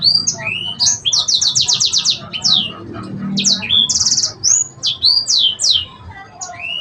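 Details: Fast, varied sanger song in cengkok style, with repeated rapid buzzy note trains, high sweeping whistles and downslurred chips packed closely together.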